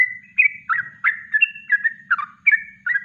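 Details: Yellow-vented bulbul delivering a natural kongslet-style song for training birds; brisk, bubbling notes that swoop down and up in quick succession, loud and near, over a faint low hum.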